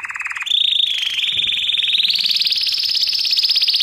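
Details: Canary lesson song for training: a short lower trill jumps to a long, loud, rapid rolling trill that climbs slightly and holds high until the end.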